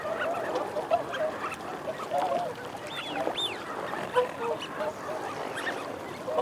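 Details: Eurasian wigeon, males and females together: a dense, softer hubbub of low growling chatter, with two thin arched whistles around the middle.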